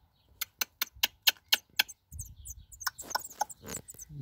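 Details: Six-day-old black redstart nestlings calling for food: a quick run of sharp, high ticking begging notes, about four a second, followed by rustling and a person talking quietly.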